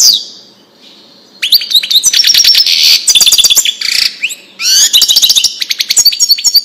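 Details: European goldfinch Wedani song for chicks to copy: a faint opening, then energetic high chattering trills, buzzy rattles and a few upward-sweeping whistled notes, continuing in quick bursts to the end.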